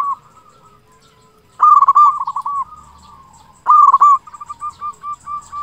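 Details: Local zebra dove song used as a lure to draw silent doves into singing: two loud bursts of rolling, cooing notes, each trailing into a softer series of evenly spaced coos, with a quiet gap between.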